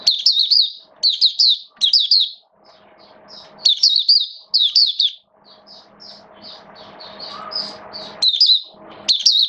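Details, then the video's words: Hobby-kept mata puteh, the Oriental white-eye, singing its opening song in wet weather: bright, rapid, high chirps in short clusters alternating with quieter scattered notes over a faint low background hum. "Mata Puteh Buka Sing"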